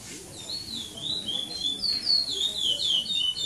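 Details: A brown 'pardo' curió, or chestnut-bellied seed finch, sings in the praia clássico style at a 2014 Maranhão contest in São Domingos do Maranhão. It gives a rapid run of clear, sliding high whistles that grow louder, with faint murmuring underneath.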